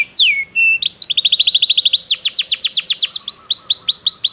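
A Belgian canary sings a high, bright song: a falling whistle, then fast rolling trills of repeated notes, and finally a run of sweeping, downslurred chirps.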